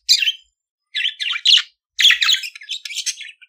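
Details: Budgerigar singing in quick scratchy bursts, a sharp chirp followed by grating chattered phrases with buzzy, whistled notes mixed in.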